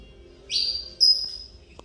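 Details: Mineirinho saffron finch returning to song after almost two years of feather trouble, still full of pin feathers: one sharp downward-sweeping note, then a long, clear, level whistle that fades out.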